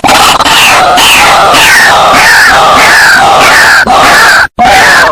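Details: White-breasted waterhen lure call played from a phone to attract the birds: loud, harsh, overlapping croaking calls in a dense, continuous chorus, each note gliding downward, broken by a brief gap near the end.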